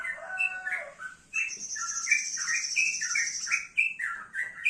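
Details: Male yellow-vented bulbul singing in morning sun: quick chattering, slurred notes in a busy stream, with a steady high hiss running beneath part of the song.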